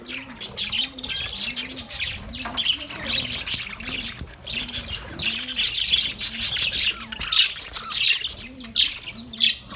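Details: Happy budgerigars playing in their cage keep up busy, high, scratchy chirping and twittering, over a soft, low, rhythmic squeak that repeats steadily about once a second.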